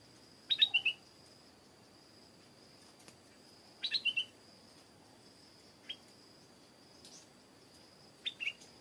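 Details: Loud, clear stripe-throated bulbul phrases: quick runs of three or four bright chirps, repeated about every three seconds, with single short notes between, set against a steady thin insect hum.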